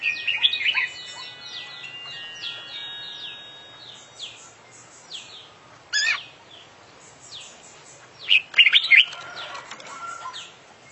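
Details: Champion oriental magpie-robin in active song with full filler repertoire: a rapid series of short, falling whistled notes, then a harsh burst near six seconds and a dense, scratchy, warbled flourish toward the end.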